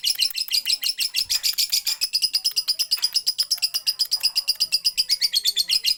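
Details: Lovebird singing in the style called siren: a long, unbroken, high-pitched chatter of rapid pulses repeated about twice a second, steady and insistent across the whole stretch.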